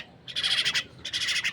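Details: Two quick, harsh, rattling bursts from a myna being fed by hand, each about half a second long with a short gap between.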